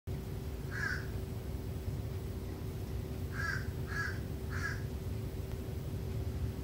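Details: Crow greeting, said to be saying hello: four short hoarse caws, one alone and then three spaced about half a second apart, over steady low rumbling noise and a faint constant hum.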